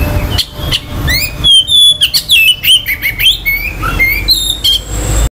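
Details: Oriental magpie-robin song used to quickly arouse other magpie-robins' aggression and breeding urge: a lively, almost continuous stream of varied whistles, trills and upward slides, sung loud over a faint low rumble.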